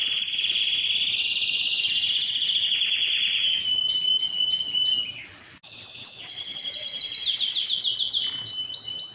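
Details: Canary singing for training young canaries and stimulating males and females: a drawn-out level whistled note, clipped high staccato notes, then a fast bright rolling trill of sliding notes, repeated once more near the end.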